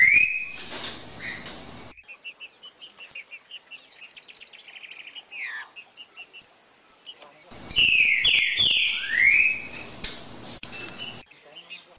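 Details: Song of a caged green-winged saltator used to warm up another bird: clear upward whistles, bursts of fast chattering notes, then loud sweeping slurred phrases, with faint low rumbling at times.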